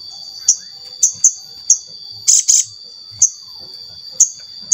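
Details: Lure recording of a crimson sunbird (sogon) to get other sogon to sing: irregular sharp, very high chips, including a quick pair and a short buzzy double burst, against a faint steady high tone.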